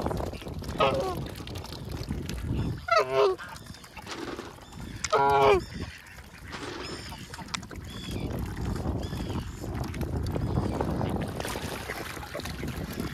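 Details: Geese protecting their goslings during feeding: a series of raspy, nasal honks in the first half, then fainter calls amid rumbling background noise.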